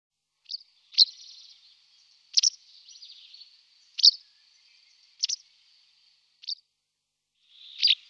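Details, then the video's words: White wagtail giving sharp, high chirped notes about every one to one and a half seconds, some followed by a short thin buzzy trill, over an otherwise quiet background. "Λευκοσουσουράδα Motacilla alba"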